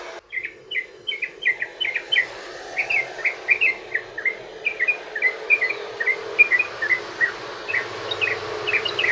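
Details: Yellow-vented bulbul delivering a long rolling 'ropel' song meant to draw other bulbuls into song: clear, bouncing chirped notes repeated rapidly in an even sequence over nine seconds, with a faint low hum beneath.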